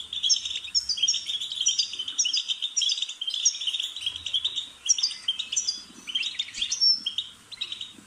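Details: Goldfinch song intended to get a pet bird chirping: a long, tumbling stream of high tinkling notes, buzzy trills and sharp chirps, with one brief lull midway before the chatter resumes.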